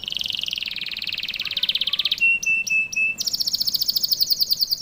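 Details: Canary in full, lively song, tight rapid bursts used as a tutor to get young birds singing quickly; a fast rattling trill, four flat piping notes, then a higher buzzing roll.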